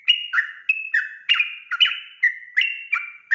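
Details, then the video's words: A sooty-headed bulbul in lively lure song meant to provoke an instant answer: clear whistled notes alternating with lower throaty ones, a brisk rhythmic babble. "trucukan ropel gacor RAJA PIKAT ini REKOMENDASI MENJADIKAN agar burung trucuk gacor NYAUT SEKETIKA"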